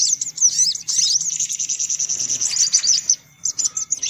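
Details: Lure sound for drawing in sunbirds, made of busy high-pitched twittering and fast chirps packed closely together, dropping off briefly before short bursts return.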